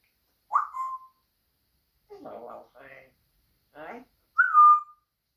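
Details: Pet African grey parrot at home: a whistle that rises and holds, then murmured speech-like voice sounds, then a louder whistle that falls and levels off.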